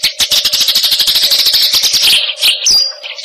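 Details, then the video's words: Eurasian tree sparrow of the fighting type giving a fast, tight single-note song: a long run of quick sharp chirps, closely packed, ending with a few separated high notes. "masteran gereja tarung vs cililin speed rapat satu nada"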